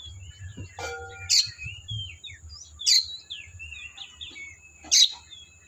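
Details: Oriental magpie-robin singing in the wild forest: thin whistled phrases weave between loud harsh chip bursts roughly every two seconds, over a low steady background hum.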